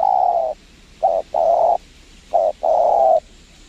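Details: Clear close cooing of spotted dove at a windy trapping site with a lure bird: a long coo, then two phrases of a brief double note followed by a sustained, gently falling coo, over a quiet background.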